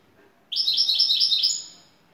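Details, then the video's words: European goldfinch (şakşaklı saka) gives a rapid, bright twittering burst of high, tinkling notes lasting about a second, ending in a thin whistle. "Şakşaklı Saka kuşu"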